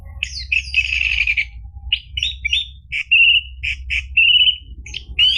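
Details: Orange-headed thrush in full, continuous song, played as a lure to get a quiet bird singing again. Rapid varied phrases of buzzy notes and clear whistles, some drawn out and wavering, delivered almost without pause.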